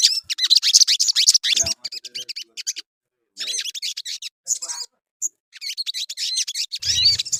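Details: Crimson sunbird (sogon) song played as a lure to spur singing: fast, high, scratchy twittering in several bursts broken by short silences, with scattered thin whistled notes.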